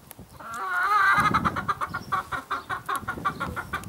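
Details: Red-Saddled Yokohama rooster among his hens: a drawn-out, wavering, harmonic call lasting about a second, then a rapid series of short, regular clucking pulses running to the end.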